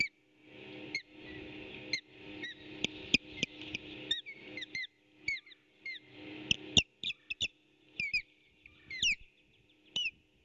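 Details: Nesting osprey pair coming and going with fish while an intruder keeps trying to steal it, 8 April 2018 at 11:18: a long, uneven string of high, piercing whistled chirps that quicken toward the end, over nest rustling.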